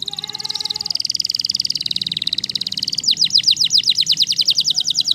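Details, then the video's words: Waterslager canary song, opening with a long fast rolling trill of rapid pulsed notes, then switching to a brisk series of sharp downward-slurred whistles repeated about every fifth of a second; faint low hum behind. "Canary Waterslager Singing"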